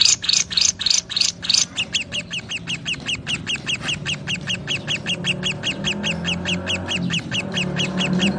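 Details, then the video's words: Lovebirds calling with a burst of loud, harsh squawky chirps, then a long, steady stream of quick, clipped high notes over a low hum. "Lovebird Singing and Chirping Sounds"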